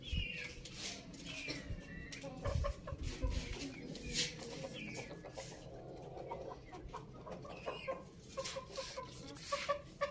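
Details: Chickens clucking softly with scattered short notes over a low rumbling background and some rustling.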